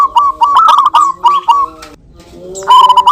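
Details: Local zebra doves in a back-and-forth song exchange used as a lure: fast strings of short, ringing coo notes, a quiet gap, then another bright phrase starting near the end.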